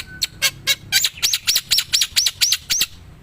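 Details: A wild black-winged myna singing lively: a few harsh, broad clicks, then a steady run of about eight arched, buzzy notes repeated roughly every quarter second.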